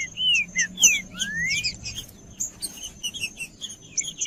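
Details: Green-winged saltator in macheando song used to fire up other birds: slurred whistled notes, some falling and one long rising, for about a second and a half, then a quieter string of high, quick chips.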